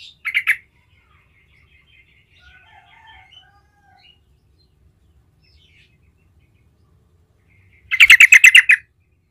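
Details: Trucukan, the Yellow-vented Bulbul, in gacor ngerol song meant to draw replies from other trucukan; a brief bubbling burst at the start, long quiet gap with faint soft notes, then a loud rapid chattering phrase near the end.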